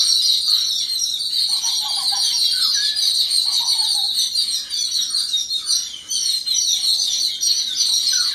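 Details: Yellow-billed babblers respond as a group to an unidentified threat. Their continuous shrill chattering chorus carries scattered short lower squeaky notes and brief dips in loudness.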